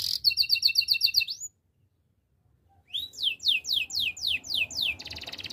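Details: Belgian canary in training song: a rapid bubbling phrase of repeated high notes, a short pause, then loud descending whistled slurs roughly three per second and a buzzy ending.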